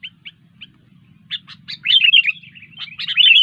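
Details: Sooty-headed bulbul starting with three soft isolated chirps, then building into a loud, rapid series of slurred, bubbly warbling notes, with a faint low hum throughout.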